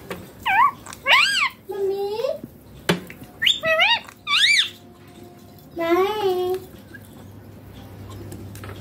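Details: A rose-ringed parakeet talks indoors in a high, nasal, harmonic-rich voice, repeating "bye bye papa" in about seven short squawky word-like phrases with pitch bends.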